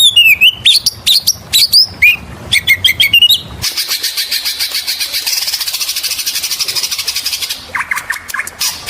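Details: Lure song of an oriental magpie-robin: quick sharp whistled notes and slurs, then a long dry buzzy rattling stretch, closing with a few bright chirps.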